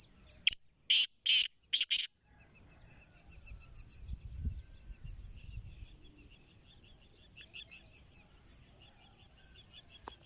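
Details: Black francolin, kala teetar: four loud, harsh, buzzy notes bunched into under two seconds, then quiet, with a steady high thin whine throughout and soft low rumbling.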